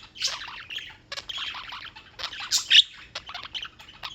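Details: Birds in New York, United States, chirping on and on: bursts of high squeaky notes and short squawks in clusters, with one brief gap midway.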